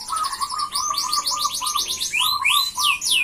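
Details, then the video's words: A gacor F1 canary sings as a lure and master song for other canaries. Quick high chirps are layered over a steady string of lower whistled notes, and the phrase ends in loud, widely spaced upward-sweeping notes. "Pancingan Suara Kenari F1 Gacor"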